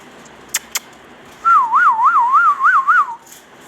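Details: Indian ringneck parrot kept as a pet: two sharp clicks, then a loud wavering whistle that rises and falls six times in about one and a half seconds, indoors with low background hiss.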